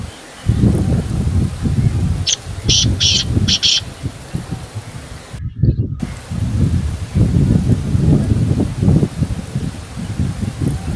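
A black francolin gives one brief, grating phrase of about five sharp, high notes over heavy low rumble and rustling, with a short break in the sound.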